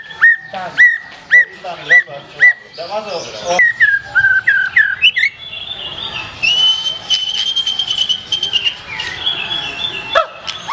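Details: White-rumped shama, black-tailed form, opening with a series of loud, clipped whistles about every half second, then wavering slurred notes and a long, sustained high whistle with faint chatter beneath.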